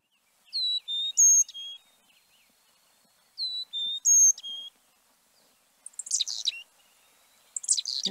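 Carolina Chickadee: two clear, whistled four-note phrases going high, low, high, low, followed by harsh, buzzy chick-a-dee-dee notes.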